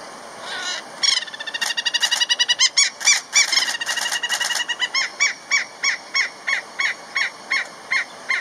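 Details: Giant kingfisher calling a mate on safari in Kruger National Park, a sharp sound: a loud rapid series of harsh clicking notes, fast at first, then spaced about three per second.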